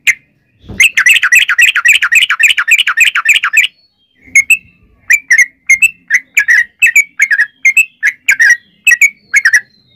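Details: Yellow-vented bulbul singing a long 'ropel' song meant to coax other bulbuls to sing, opening with a fast three-second chatter, then slower separate liquid chirps spaced roughly half a second apart.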